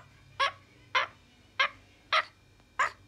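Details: Francolin giving a series of five short, harsh, raspy notes, each a brief broadband burst spaced about half a second apart, in a quiet indoor-sounding setting.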